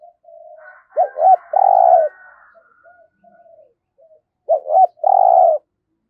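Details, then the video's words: Spotted dove kept as a decoy to lure wild birds for trapping, giọng thổ style: two phrases of a double hoot followed by a long burry coo, separated by soft low murmurs. "Chim Cu Mồi Gáy Giọng Cũng Hay Dùng Kích Bổi Cũng Hiệu Quả"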